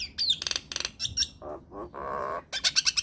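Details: Myna lure recording meant to make other mynas answer: quick rapid chattering bursts and high squeaky whistles, then lower nasal gurgling notes and a drawn-out harsh rasp, ending in a fast run of bright high chirps.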